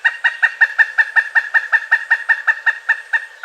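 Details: During the late-winter to early-spring mating season, a pileated woodpecker gives a fast, even chain of loud kuk notes, roughly five per second, sustained throughout.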